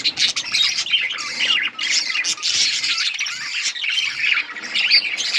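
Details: Pet budgies giving a steady stream of harsh squawks and buzzy chirps, loud and continuous with only short breaks, mixed with rapid chattering warbles.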